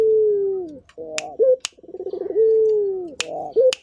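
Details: Local puter turtle dove cooing actively: a rolling pulsed opening, a long steady low tone sliding gently downward, then a short rising hooked note. The phrase repeats, with sharp clicks in between.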